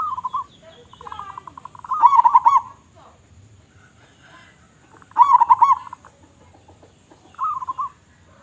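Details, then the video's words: Local Indonesian zebra dove, prized for its loud voice, delivering three rounded rolling coos a few seconds apart, each a quick stuttered burble, with quieter hoarse notes between. "Perkutut Lokal Gacor Suara Besar"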